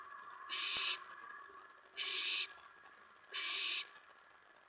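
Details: Nest scene with a mouse being delivered, early morning of May 15, 2017 at 4:46 AM: three evenly spaced, breathy screeching hisses from an owl, each about half a second long, roughly every one and a half seconds.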